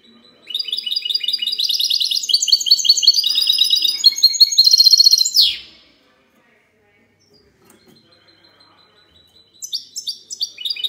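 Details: Hybrid European goldfinch singing a clean song, recorded 19 March 2020: a dense, fast run of bright twittering and trilled notes for about five seconds, ending in a falling buzzy sweep, then a pause before the twittering resumes.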